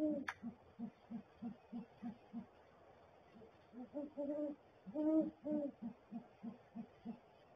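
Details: Male great horned owl at the nest, making gular-like sounds along with hooting; a steady train of short low pulses about every third of a second, with longer, stronger hoots breaking in midway.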